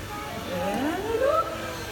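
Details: A female bar-pouched wreathed hornbill at a bird show in Jurong Bird Park, Singapore, about to inspect a nest box, gives one drawn-out nasal yelp climbing steadily in pitch over about a second, over a low murmur.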